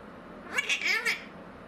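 A blue-crowned conure gives a single harsh, wavering squawk lasting under a second, with a nasal, almost meow-like rise and fall, in a quiet room.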